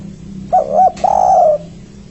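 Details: Spotted dove's three-note lure call, used to attract companions for trapping. A short doubled hooting note is followed by one long, full, slightly falling coo, over a low humming background.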